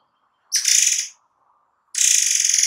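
Forktail giving two dense, shrill, very high bursts, each about half a second long and a second apart, over a faint low hum.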